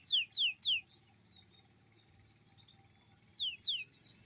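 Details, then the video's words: Morning canary song meant to encourage young canaries to sing: three sharp, high descending notes, a pause with faint soft twittering, then two more falling notes. "kicau kenari paud di pagi hari cocok buat pancingan kenari paud"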